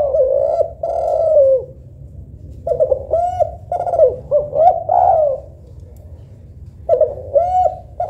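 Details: Local tekukur or Kelantan derkuku, a spotted dove compared for how soft and melodious it sounds, gives a long falling coo, then a run of short arched notes with brief rising inflections, and a final pair of coos.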